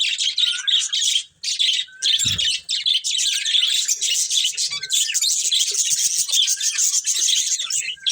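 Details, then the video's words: Breeding pair of pet budgies keeping up a long, dense run of scratchy, warbling chirps with occasional short whistles and a soft thump midway. "Cute Budgies Chirping Sounds"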